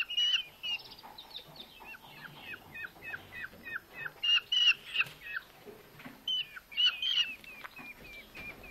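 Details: Two starved, rescued Eurasian hobby nestlings, found on a road on an August evening and now being fed at a wild bird rescue centre, give thin, high, down-slurred squeals, about three a second, with soft rustling between calls.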